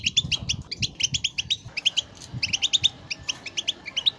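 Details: European goldfinch singing, used to coax a goldfinch into song: quick tinkling chirps and trills strung together, one brief pause midway, a low background hum.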